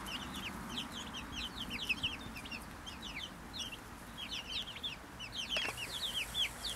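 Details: Brahma chickens in a small group, rapid overlapping high-pitched peeps and chirps, with a brief knock near the end.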